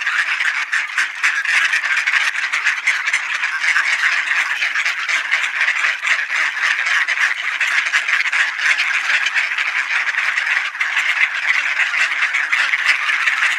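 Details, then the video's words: Flock of ducks gathering for supper in Sainte-Adèle, Quebec, Canada, 3:27 PM on 9 November 2020, partly cloudy and 20°C; many birds quack at once in a steady, loud babble that runs without a break. "Ducks Gather for Supper"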